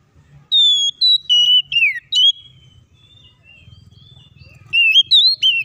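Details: Oriental magpie-robin (kacer) lure song to get other birds singing and fighting: a few bright whistled notes, one falling, then a quiet gap and another short burst of wavering whistles.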